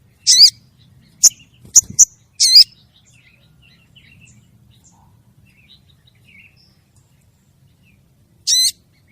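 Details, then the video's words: Calling female crested jay seeking a male. It gives a harsh rasping burst, then a quick run of sharp clicks and another rasp, followed by a long quiet pause before one more rasp. "suara burung sogon betina manggil jantan"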